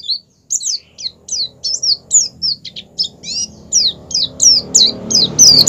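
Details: Oriental white-eye in 'ngerol' rolling song linked with 'ngalas', used as a lure so white-eyes open their beaks and sing: evenly spaced high, sliding chirps about three a second, rising hiss toward the end.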